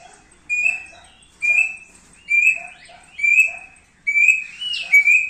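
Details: Thick-billed heleia singing actively, presented as a training master: clear whistled phrases, each a bright steady note with a short lower note, repeated roughly every second with brief pauses. Quiet background.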